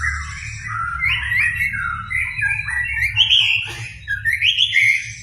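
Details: Lure recording of a white-rumped shama singing busily to provoke a quiet shama. A continuous flowing warble of mellow whistles, wavering up and down, with a brief rasp midway.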